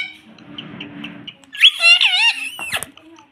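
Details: Household talking parrot known for saying mummy. Faint low room noise and soft ticks come first, then a loud, squeaky, warbling speech-like phrase ends in a few clicks.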